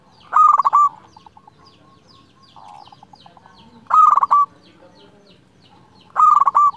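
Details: Zebra dove of a local strain singing to draw in a rival: three rapid, rolling coo bursts, each a quick trill of pulsed notes ending in a held tone, repeated every two to three seconds, with soft murmuring cooing between them.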